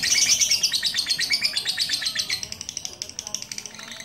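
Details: Lovebird in a long singing session after treatment by a handler in Pucakwangi, Pati: a dense, fast, high-pitched chatter of buzzy twitters, strongest at the start and softening toward the end, with faint voices behind.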